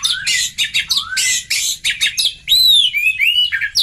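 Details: Oriental magpie-robin singing to provoke young birds into responding: loud rasping scratchy bursts alternating with clear upward-sweeping whistles, then long arching whistled notes, dense and energetic throughout.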